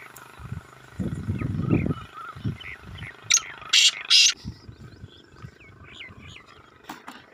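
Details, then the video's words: Black francolin, kala teetar, calling on a main road: a loud burst of three harsh, scratchy notes mid-clip, preceded by low rumbling noise and softer chirps from other birds in the background. "Black Francolin Calling On Main Road Shoq wala Teetar Bedar Kala Teetar"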